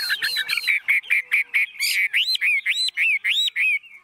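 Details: Caged Chinese hwamei, calm around people, singing a fast series of loud arched whistled notes, repeated roughly three times a second after a short chattering opening.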